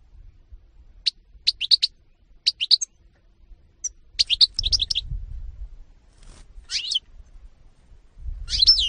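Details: European goldfinch (Carduelis carduelis) recorded in 2018, singing in short separated bursts of high, liquid twittering notes, with pauses of about half a second to a second between phrases and a faint low rumble underneath.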